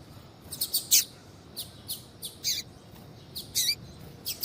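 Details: Female double-collared seedeater calling to encourage a male coleiro to sing. Bright, high chirps arrive in uneven clusters, several ending in a downward slur, over steady faint hiss.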